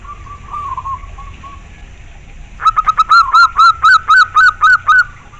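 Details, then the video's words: Local zebra dove, a clear-voiced perkutut: a soft wavering coo at first, then a loud run of about ten evenly repeated hooked notes. "Suara perkutut lokal sangat jernih"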